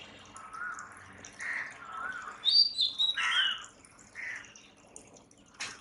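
Oriental magpie-robin giving a varied run of clear whistles and short chirps, some rising, some dropping, with a few sharp high notes and a click near the end.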